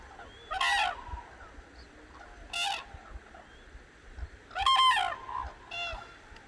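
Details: Cranes waking at dawn on the Hantan River in Cheorwon, central Korean peninsula, giving loud harsh trumpeting bursts at about 0.7, 2.6 and 4.8 seconds, with fainter calls between and a low rumble of background noise.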